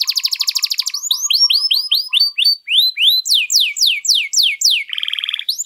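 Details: Canary singing long, ornate tutor song: a fast pulsing trill over a faint low steady tone, then looping whistled notes, loud steep downslurs, and an abrupt harsh buzzy trill.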